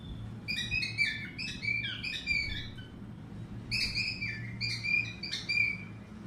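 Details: Cockatiel singing in good weather, delivering two lively phrases of clear, warbling whistled notes with strong overtones, quick rising and falling slurs, separated by a short pause; faint low hum underneath.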